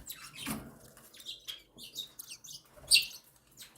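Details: Cockatiel nestlings, newly hatched and week-old, being fed by the mother bird indoors; soft wheezy cheeps come and go, then a sharp, high squeaky burst near the end, with quiet shuffling underneath.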